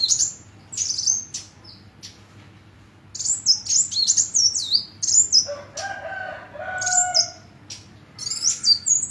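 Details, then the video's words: Hummingbird giving very high, thin chirps and quick descending twittered phrases in bursts, with a lower, harsher bird call briefly overlapping midway. "Kicau Kolibri"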